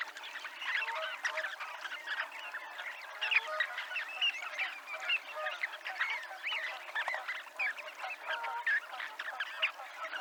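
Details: Dunlins at the Abruñeiras seafront, Ría de Noia, giving a continuous busy chorus of short, rough, overlapping calls from many birds, steady throughout without pauses.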